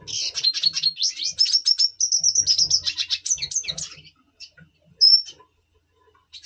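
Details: Red siskin of the double pastel mutation, kept in captivity and in breeding mood, November 2023, singing a fast continuous twittering phrase of high, slightly buzzy and trilled notes for four seconds, followed by a few isolated chirps and faint low knocking.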